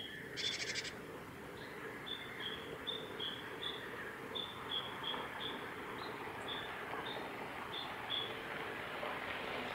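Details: Japanese tit at the Kitafuji training area, Japan, 20 May 2018, giving ground calls while bathing: one short buzzy rasp, then a long series of thin, high, even notes over steady background hiss.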